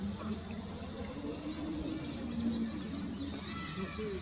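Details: Cedar waxwings at Homer Lake Forest Preserve, Champaign County, Illinois, USA, on 25 May 2020, give thin, very high, hissing trills almost without a break, over a steady low rumble of background noise.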